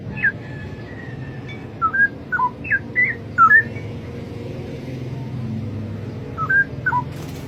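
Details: Straw-headed bulbul in the wild giving scattered, fairly distant whistled notes that slide up and down in short groups, over a steady low rumble of background noise.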